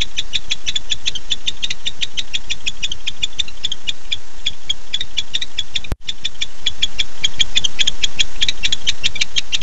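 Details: At night on 9-8-15, a male barn owl calls for his mate after showing up at 9:54 pm. A nest camera picks up a fast, even series of sharp ticking notes, briefly cut by one loud click, over constant low rumble.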